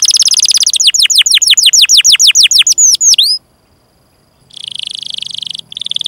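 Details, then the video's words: Caged-style canary song used as training material: fast repeated descending whistles slowing into curled notes, a silent gap, then a buzzy rolling trill. "Kenari GACOR PANJANG INI Cocok untuk Masteran KENARI PAUD dan Kenari Macet BUNYI"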